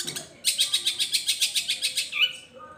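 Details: Long-tailed shrike mimicking other birds such as gereja petir, kunti and tengkek buto. It gives a loud run of about twelve harsh, rasping notes at a steady pace, ending in a short whistled slur.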